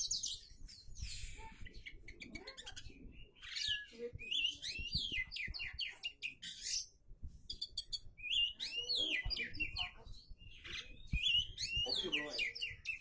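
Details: Oriental magpie-robin in full varied song: loud high whistles, sharp upslurred notes and rapid chattering trills in dense bursts, phrases tumbling one after another with brief gaps, low rustling underneath.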